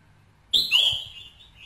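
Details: Red-whiskered bulbul, played to stimulate a male bird: a single loud, sharp whistled note sweeping downward, then holding a bright, slightly wavering tone that fades over about a second.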